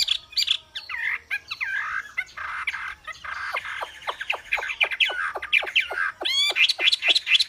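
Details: Black-winged flycatcher-shrike (Hemipus hirundinaceus), song.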